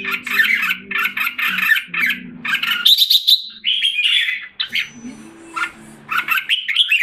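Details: Red-whiskered bulbul kept as a song bird in Singapore, recorded 07 July 2017 while recovering in health and form after molting; bursts of lively chattering, warbled phrases, then a clear high whistled note, over a low steady hum.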